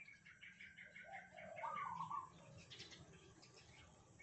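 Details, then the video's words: Caged Red Junglefowl from Sumatra, raised from a day-old chick, crowing back and forth with cagemates. A faint, short, stepped crow is heard through a steady hiss and low rumbling background noise. "Ayam Hutan Merah kokok bersahut-sahutan"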